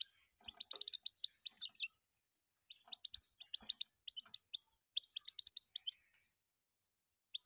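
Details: A European goldfinch sings in quick bursts of liquid twittering and tinkling chirps, pausing briefly between phrases; the setting is otherwise quiet.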